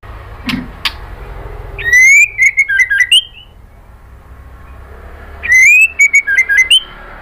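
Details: Female white-rumped shama calling the male with two bursts of loud, quick whistled phrases, each a rising note then tumbling slurred whistles, a few seconds apart, after faint clicks.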